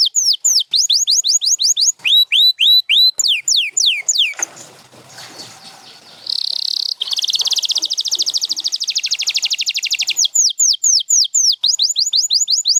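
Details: Canary song of repeated curved whistled notes, interrupted by a short noisy gap, then a buzzy roll and fast trill before the sweeping whistles return.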